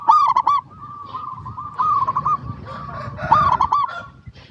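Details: Local zebra dove singing as a lure for other zebra doves: a loud burst of quick looping coos opens, followed by softer repeated coo phrases and a second loud rolling burst near the end.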